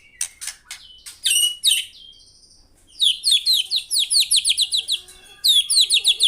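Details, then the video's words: White-rumped shama singing actively: loud, varied whistled phrases that open with short stacked notes, then fast runs of sharp downslurred notes repeated several times a second in bursts, with brief pauses between phrases and a quiet background. "BURUNG MURAI GACOR"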